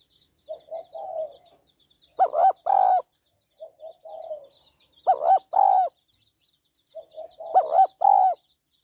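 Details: Female spotted dove calling to stimulate a male, three evenly spaced phrases, each starting with short soft coos and ending in two loud, arched, resonant notes, quiet background.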